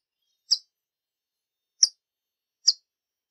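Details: Hummingbird calling: short, sharp, very high chips spaced unevenly, about one every second, over a silent background.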